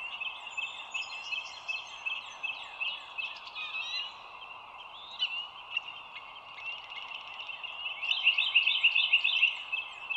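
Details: Bald eagle calling at a nest watched by an overhead live camera by the Dulles Greenway, 25 March 2022 at 07:16; scattered high chattering notes, then a brisk run of piping calls near the end, over a steady chorus.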